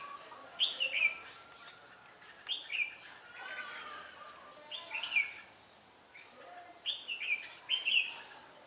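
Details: Red-whiskered bulbul in song during trapping at Ba Thá, Vietnam, 17 December 2016, noted as quick to respond and voice-switching. Clear rising-and-falling warbled phrases repeat roughly every two seconds in four bursts, with soft background noise between them.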